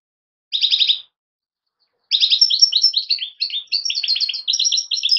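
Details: Young European goldfinches, fledglings, give a short burst of rapid buzzy chirps, fall silent for about a second, then break into a longer fluid twittering stream of chattering, slightly metallic notes that continues to the end.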